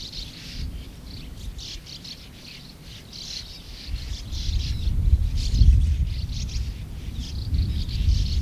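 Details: Sand martins in a colony of over 100 birds, giving scratchy twittering calls in overlapping bursts, with heavy low wind rumble throughout that swells in the second half.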